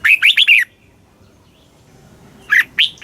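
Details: Red-whiskered bulbul from Thailand, southern master-song style played to excite caged birds and teach young birds: a burst of four rolling, warbled notes, a two-second pause, then a fresh phrase starting with sharp whistles.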